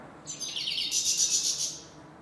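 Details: European goldfinch, grey-headed or black-headed form, giving its chir-chir call: a single dense burst of high, buzzy twittering lasting about a second and a half, with quick rattling notes over faint background hiss.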